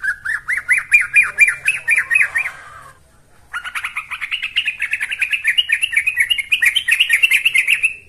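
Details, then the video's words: Yellow-vented bulbul in full song gives two bursts of quick, bubbly rising-and-falling notes, about two a second, split by a brief pause, over faint high ticking; used as a lure and training recording. "Pancingan Trucuk Sesungguhnya || Burung TRUCUKAN GACOR"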